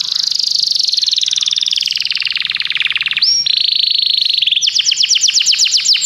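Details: Common canary performing a sustained, fast, rolling trill, a short swooping upward note, another steady trill, then a run of sharp descending repeated notes.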